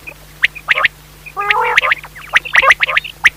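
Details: A Pakistani quail (batair) call used for night hunting: sharp, clipped notes in irregular bursts, roughly one a second, with a brief throaty gurgling run between them; a faint steady electrical hum underneath.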